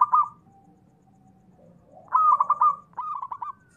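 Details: Zebra dove, a local singer used as a lure for other doves, opening with a short loud coo, then after a pause a bright trilled coo phrase followed by a run of quick, dipping notes.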